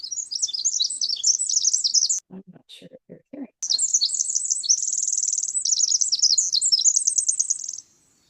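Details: Pacific Wren song, a long rapid cascade of very high tinkling trills and warbles, broken near the middle by a brief low thumping patch, then resuming as a fast buzzy run of twitters.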